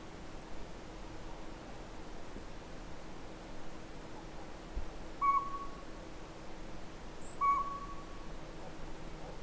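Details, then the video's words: Two clear, level whistled toots from a northern pygmy owl at the Sea to Sky Gondola, spaced about two seconds apart in the latter half, with steady low background noise. "Northern Pygmy-Owl"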